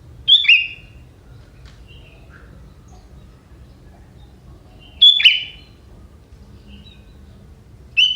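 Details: Young wild forest sooty-headed bulbul, sharp whistled notes with a quick downward slur, three short bursts about four to five seconds apart, over a quiet low hum.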